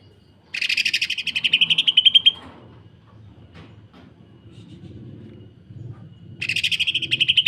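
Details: Tight, harsh 'sewing machine' rattling of a greater green leafbird, meant for training other birds. A two-second stream of rapid buzzy pulses is followed by a faint pause with soft background rumble, then another rattle begins.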